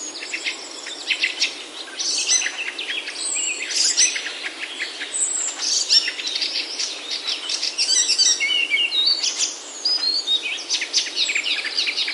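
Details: Birds singing in a Himalayan oak forest in Himachal, India, beside mountain trails: a loud, dense chorus of high chirps, twitters and quick trills from several birds overlapping without pause.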